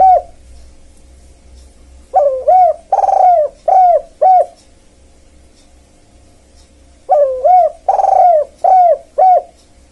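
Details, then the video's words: Spotted dove calling to attract wild birds, the cooing phrase given twice about five seconds apart, each a string of short coos around a longer rolling coo, with a low rumble at the start. "pikat tekukur kuk,kuk memang sangat ok"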